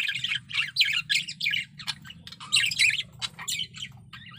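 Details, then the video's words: Breeding male budgerigar singing a chattering warble: bursts of harsh squeaky notes and chirps in quick succession, separated by short gaps, with clicks between phrases. "Suara Burung Parkit Jantan || BIRAHI PARAH"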